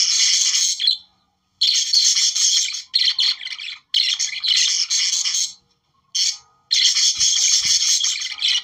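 Budgerigars chatter and warble in dense, scratchy, high-pitched bursts of one to two seconds, separated by brief pauses.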